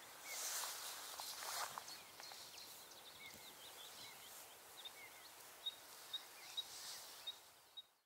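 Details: Common reed bunting (Emberiza schoeniclus) gives short, thin, high call notes about every half second in the second half, after loud rustling and footsteps.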